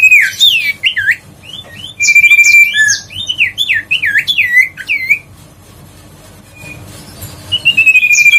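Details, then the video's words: Huyt co bird, a recording meant to excite other birds into singing: a dense run of looping, swooping whistles and level notes for five seconds, a lull, then one rising drawn-out whistle. "tiếng chim huyt co siêu sang chảnh"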